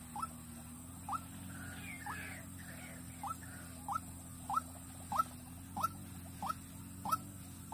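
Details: White-breasted waterhen used as a decoy bird for luring, from Vinh Long, Vietnam: a short sharp upward note repeated roughly every 0.6 seconds, over a steady low hum and faint background chatter.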